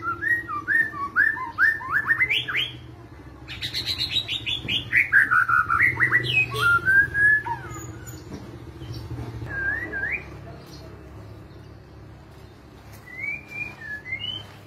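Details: White-rumped shama in kretetan style, recorded to spur other birds into song. A fast series of rising whistled notes opens into a loud descending cascade, then scattered short whistles, over a low steady hum.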